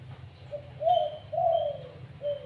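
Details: Spotted dove beginning to call: a soft series of low, hollow coos, the middle notes longer and slightly rising then sagging, the last one short; quiet background with a faint low hum.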